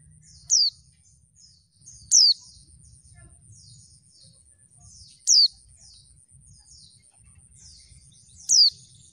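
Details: Female oriental white-eye (pleci) calling to lure lazy males into answering and singing as in the wild: sharp descending whistled notes repeated irregularly, four in nine seconds, with softer thin chips between them, a constant faint high tone and low rumble.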